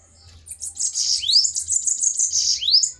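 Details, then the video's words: Fighting bananaquits in a duel. A thin, high, hissing buzz swells and carries two clear rising whistled sweeps about a second and a half apart. "DUELO DE SIBITES FOGOSOS!"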